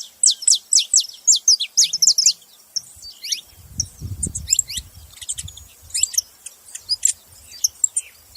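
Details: A flock of saffron finches giving rapid, high, sharply falling chirps in steady bursts, with a low rumbling thump of handling or wind underneath in the middle.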